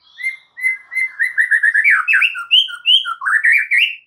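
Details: White-rumped shama in vigorous song for training caged birds: a series of even whistled notes speeding into a lively warbling run of rising and falling phrases.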